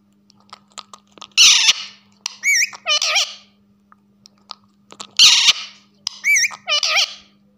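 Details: Rose-ringed parakeet talking while perched on a person's shoulder: two matching bursts of harsh, buzzy speech-like syllables followed by wavy warbled notes, repeated about four seconds apart, over a steady low indoor hum.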